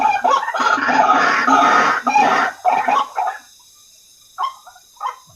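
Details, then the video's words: White-breasted waterhen calls played as a lure to draw in waterhens: a loud, dense run of harsh, croaking notes for about three seconds, then a pause and a few quieter, separate croaks. "Suara Pikat Ruak Ruak Paling Ampuh"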